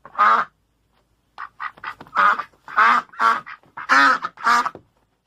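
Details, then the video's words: Duck with a laughing call: one loud quack, a short pause, then a run of soft clipped notes building into four or five strong, harsh, nasal quacks in quick succession. "Laughing Duck"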